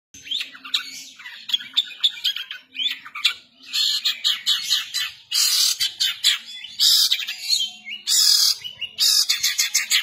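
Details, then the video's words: Long-tailed shrike singing briskly in the harsh kasaran style: dense bursts of scratchy, broadband notes mixed with short whistled slurs, growing louder and rougher toward the end, with a faint low hum underneath. "cendet gacor nembak kasaran"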